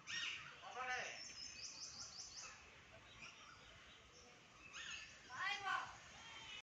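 Harsh, raspy screeches from a sulphur-crested cockatoo open the clip and return near the end. A quick run of thin, high chirps falls in between.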